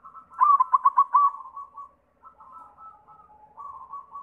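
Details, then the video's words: White zebra dove song used as a lure to draw song from other doves. Opens with one loud run of about six quick, bubbling coos and a long trailing note, then soft, low trills. "Sura Perkutut pitih PAMCINGAN SEMUA JENIS PERKUTUT"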